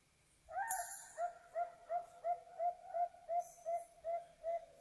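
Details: Zebra dove, local and Bangkok perkutut, in a recording used to prompt other perkutut to sing: a steady series of about twelve soft, hollow coos, roughly three per second, with a faint higher hiss in the background.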